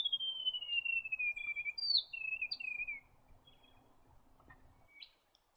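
A White-throated gerygone gives a sweet, high whistled phrase that slides steadily downward, then adds a few higher falling notes, over faint low background rumble.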